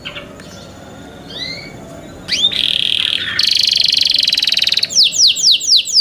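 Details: A young kept canary's song starts with soft slurred whistles, builds into a loud buzzy roll, and ends with a quick string of high descending notes.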